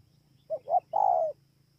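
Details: Single spotted dove phrase from Kon Tum, Vietnam, 28 November 2017: two quick soft coos rising into a longer mellow note that slopes gently down, over a low mechanical hum.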